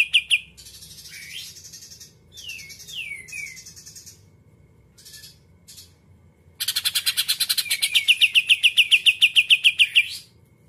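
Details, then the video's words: Greater green leafbird, muntah isian kapas tembak putar song to rouse rival birds: scattered chirps and several swooping downslurred whistles, then a long rapid volley of bright ringing chirps over a dense rattling buzz. "Cucak Ijo Muntah Isan Kapas Tembak Putar Sekali Jagoan Mu Pasti Ngamuk Ngamuk"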